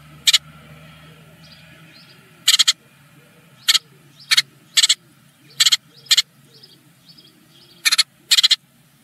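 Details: Eurasian blue tit chicks, part of a family of ten eggs, at their first morning feeding in a nest in Germany; sharp broadband begging bursts come in short clusters at irregular intervals over a soft background hum.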